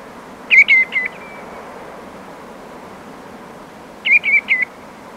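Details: Common greenshank giving awareness calls at medium-close range in the Camargue: two bursts of three clear, ringing, slightly downslurred whistled notes, about three seconds apart, over a steady hiss of surf and wind.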